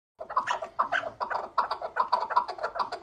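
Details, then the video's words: Chukar partridge, called keklik in Turkish, giving a rapid, harsh series of clucking chuck notes, about two to three per second, with loud bursts in an uneven rhythm. Recorded in a small, echoing room. "Keklik Sesi Efsane (Keklik Hengamesi)"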